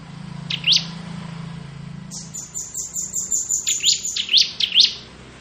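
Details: Crystal-type bar-winged prinia in ngebren song: a sustained, thin, high ringing trill, then a string of sharp, loud chirps repeated about every half second, over a low hum.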